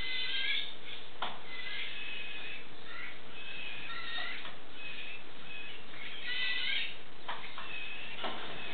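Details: Baby wild western scrub jays begging while being hand-fed corn inside a house: repeated coarse, scratchy squawks in irregular bursts, with sharp clicks and handling knocks between them.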